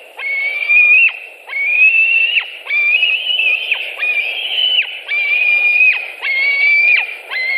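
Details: At a white-tailed eagle nest in Latvia on 26 July 2018, while prey is delivered: about seven drawn-out, slightly rising, reedy whistles with harmonics, each dropping sharply at the end, near-continuous series.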